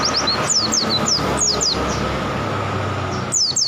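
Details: Oriental white-eye singing, one of a collection of birds: quick high descending chirps in short bursts, a pause, then more at the end, over a steady electrical hum and rumbling traffic-like noise.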